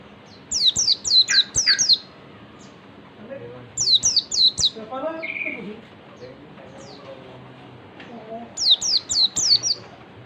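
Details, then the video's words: Oriental white-eye singing in the wild 'ngalas' style, used as a lure: three bursts of four to five quick, high, downward-slurred whistles, with softer low murmuring sounds between bursts. "pancingan pleci ngalas PLECI MANAPUN AKAN LANGSUNG MERESPON DAN NGALAS"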